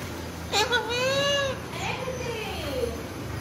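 An Indian ringneck parakeet talks in a high, nasal, human-like voice, with two short phrases over about three seconds and faint background hum.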